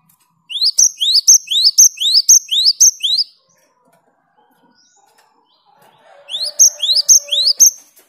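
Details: Great tit (gelatik batu), a reluctant singer answering a lure of another vigorously singing great tit: two bouts of loud, rapidly repeated two-part phrases, a rising slurred whistle then a sharp high note, about two per second, separated by quiet.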